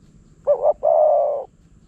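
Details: Wild spotted dove coming to a decoy in Phrae, Thailand. A single clear phrase: a quick, wavering two-part note, a brief pause, then a long, even, slightly descending coo, with a quiet background.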